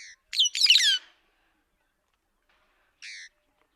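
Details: White-headed buffalo weaver giving a short burst of harsh, squawky, downslurred notes under a second long, then a lone brief nasal note after a quiet gap; no other sounds.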